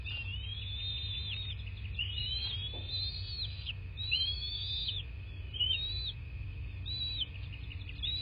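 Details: Bald eagle at its nest in southwest Florida, nest camera recording from the morning of 26 February 2024: a run of high, thin, arching whistled notes in quick succession, above a constant tonal hum and low background rumble.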